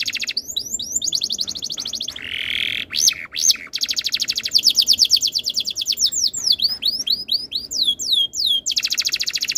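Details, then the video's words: Canary singing a tutor song to prompt other canaries to join in: long stretches of rapid high pulsed trills, a few sharp swooping notes, and loud descending whistled slurs near the end. "MASTERAN BURUNG KENARI ABAD INI - BIKIN KENARI LAIN IKUT BUNYI"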